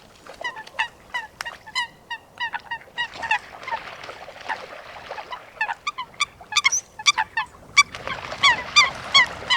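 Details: Coot calling in a natural wetland: rapid series of short, nasal, honk-like notes at an uneven pace, with a denser chorus of overlapping calls in the middle and near the end.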